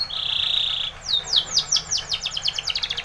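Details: Timbrado canary of Spain giving a training song: a buzzy steady tone held for about a second, then quick falling strokes that accelerate into a dense rapid trill.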